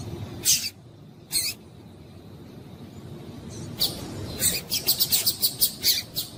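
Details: Female double-collared seedeater calling to warm up and stimulate males to sing: two isolated sharp, high chips a second apart, then after a pause a quick run of about eight short, high chips over a low background hiss.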